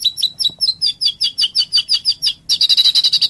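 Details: White-rumped shama song for training birds, a loud run of rapid high chirps and whistled notes, about three per second, ending in a fast dense trill.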